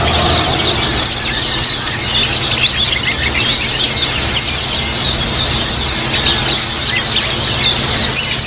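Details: Group of kept Japanese white-eyes singing, used as therapy to get other white-eyes to start their rapid chattering song; a dense, continuous wall of high, thin overlapping twitters and chirps, with a steady low electrical hum underneath.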